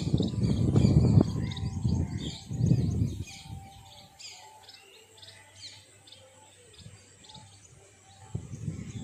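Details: House sparrows giving a busy stream of short, high chirps and twitters, many overlapping notes repeated rapidly throughout, with loud low rumbling noise in the first few seconds and again near the end.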